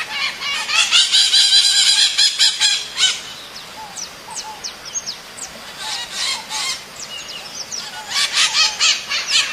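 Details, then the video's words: Maritaca parrot calling out to a companion: loud, raspy screeching bursts in rapid series, broken by quieter, thin squeaky notes before another harsh volley. "CANTO DA MARITACA - SOM DE MARITACA CHAMANDO A OUTRA"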